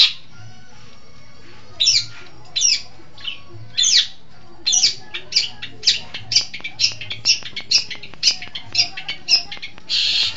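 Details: East Javan long-tailed shrike in song: a few spaced harsh notes, then a quickening run of short scratchy chirps near half a second apart, ending in a burst of noisy rasp.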